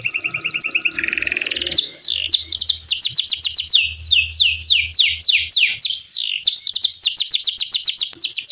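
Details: Canary singing a long, continuous tutor song meant to teach young birds and prompt silent ones: fast trills of repeated notes, a buzzy roll, then looping whistled swoops and rapid rising-falling note strings.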